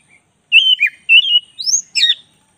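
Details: Oriental magpie-robin of the black-breasted form singing lively, clear whistles. The phrase moves through level and dipping notes, then climbs to a sharp rising note and ends on a burst of high chatter.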